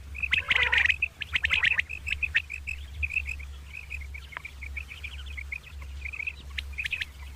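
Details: Morning calls of two common quail: a harsh grating burst opens, then a long run of short, high, clipped chirps at steady pitch, with a low hum underneath.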